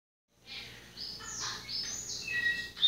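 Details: Seedeater song, the bird held as a named individual; fairly faint varied phrases of high chirps and short whistles, building louder toward the end, with a quiet low hum beneath.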